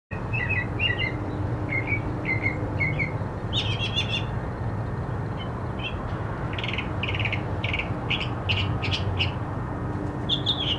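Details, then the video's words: Mockingbird singing a varied series: a short three-note phrase repeated four times, then bursts of clipped, buzzy notes and bright repeated chips, steady low rumble underneath throughout. "mockingbird singing"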